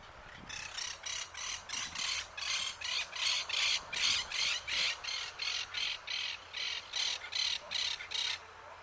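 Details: Southern crested caracara (Caracara plancus), Uruguay, urban setting: a long harsh, grating rattle of about twenty rasping notes, close to three per second, steady throughout over faint background hum.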